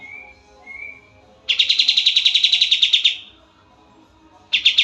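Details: Oriental white-eye, a bird prized by Indonesian songbird keepers as a master singer for tutoring other birds: two faint thin whistles, then a rapid buzzy trill of evenly repeated high notes for about one and a half seconds, followed by another trill.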